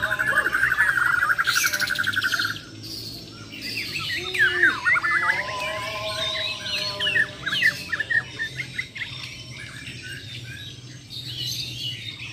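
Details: Champion Bornean white-rumped shamas of the Muara Wahau type in a fighting session: a loud stuttered burst first, then varied slurred whistles, rising sweeps and squawky calls from competing birds.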